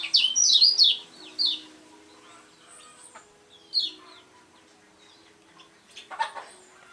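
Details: Lemon-bellied white-eye, a contest bird, giving a burst of high, fast, twittering notes in the first second and a half, a short phrase near four seconds, then a brief scratchy sound near six seconds over a faint hum.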